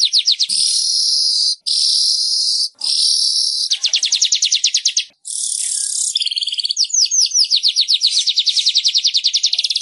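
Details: Weaver song for coaxing silent caged birds to sing: three hissing buzzes separated by brief pauses, followed by long rapid chatters of ticks and downward-slurred notes.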